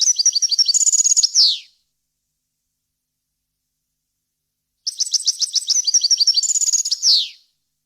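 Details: Tutoring recording of a European goldfinch for young birds: two matching twittering phrases of quick high notes, each ending in a downward slurred buzz, separated by about three seconds of silence.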